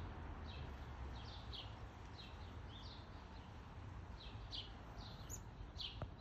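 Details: At a Calgary backyard feeder shortly after noon in July 2021, a black-capped chickadee gives short high sliding notes, some in quick pairs, scattered through the clip above a constant low rumble.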